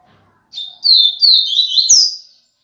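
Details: Viviti-style song of a Double-collared seedeater, one continuous high phrase of quick downslurred buzzy notes closing on an upswept whistle, in a quiet setting.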